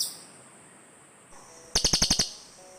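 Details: Cililin bird call for luring birds in the forest, birds responding to each other: after a quiet stretch, one short, crisp burst of six fast, dry chirps.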